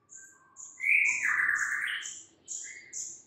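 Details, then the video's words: Quieter morning song of a white-rumped shama: a long warbling, sliding whistle over a low background hum, with thin high notes repeated about three times a second. "mUrai MACET jadi NYAUT GACOR di PAGI HARI"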